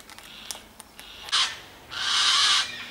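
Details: Wild yellow-tailed black cockatoos in a flock of about 20, in bush on Phillip Island: after faint clicks, one short harsh screech, then a longer, louder rasping screech lasting nearly a second.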